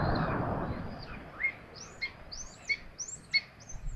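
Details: At a feeding in Tiszalök, Hungary, common buzzards give thin high notes that rise and then fall, about six over four seconds and irregularly spaced, after an opening burst of broad rushing noise.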